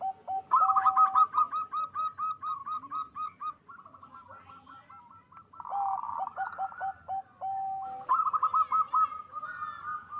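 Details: Zebra doves of a local strain at a West Java breeding farm in Bekasi, loud singers used to stir breeding urge. Rapid rolling coo trills overlap with lower clipped notes, bursts repeating through the stretch with quieter gaps.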